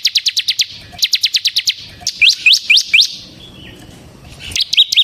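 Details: Bar-winged prinia, kept bird, chattering song used to provoke and train other prinias: quick bursts of sharp high chips, then slower, fuller downslurred notes, a pause, and a final short flurry.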